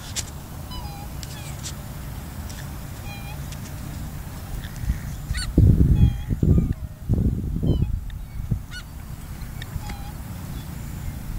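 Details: Black swans at Burswood Park, Perth, Western Australia: short, level bugling notes every two to three seconds, while small birds chirp faintly overhead and gusts of wind rumble midway.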